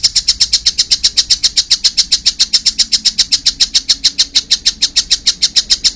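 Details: A collared kingfisher chick chatters continuously, harsh high notes repeated almost four times a second in an unbroken, even series.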